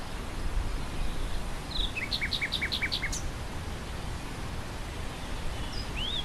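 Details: Songbird phrase heard with grassland wind: a short slurred note leads into five evenly spaced, paired chipping notes, followed by scattered thin high whistles over a steady low windy rumble.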